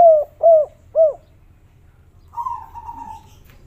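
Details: Derkuku (spotted dove), kuk 3 style, in a natural local recording. Three short arched coos in quick succession, then a longer drawn, slightly buzzy note after a pause, over a low steady hum.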